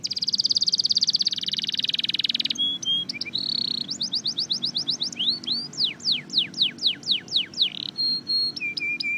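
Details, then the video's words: A red factor canary sings powerfully. A bright, buzzy high trill gives way to a few short notes, then to a series of clear, descending slurred whistles repeated about twice a second, ending in brief chip notes. "Listen to this Powerful Red factor canary singing"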